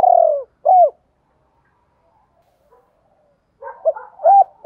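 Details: Spotted dove in 'đồng pha' voice calling females. The end of a rolling coo and one arched note are followed by a long silence. A jumbled cluster of short coos closes the phrase.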